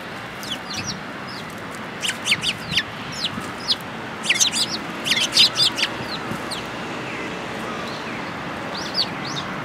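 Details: Eurasian tree sparrows gathering for food at a Tenmangu shrine, Japan, 24 February 2022: scattered thin chirps, then a dense burst of rapid overlapping high calls in the middle, fading to occasional single notes, with faint ambient hiss.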